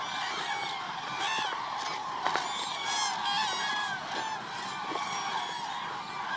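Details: Large gathering of cranes at the Hula Lake, 30 December 2014, giving a continuous wall of rolling, bugling calls from many birds at once, with louder bursts near the middle.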